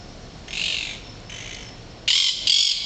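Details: Woodpeckers at a house in Mar de las Pampas, arriving at the end of February on migration and picking at garbage; two soft hissing bursts, then two loud, harsh, rasping squawks in quick succession.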